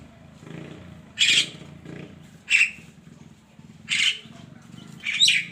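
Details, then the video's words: Javan myna heard in the morning, giving four harsh rasping bursts roughly a second apart over a low steady background hum. "kicauan burung kerak di pagi hari"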